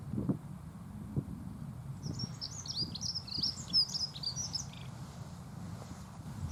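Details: Pleasant song of a Dunnock: a hurried, tinkling phrase of high squeaky notes lasting about three seconds, starting after a quiet pause, with low background rumble and occasional knocks.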